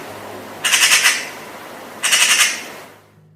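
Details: Eurasian magpie in the UK giving one of its most common calls: two harsh, rattling chatter bursts about a second and a half apart, each a rapid run of grating notes, over faint low hum.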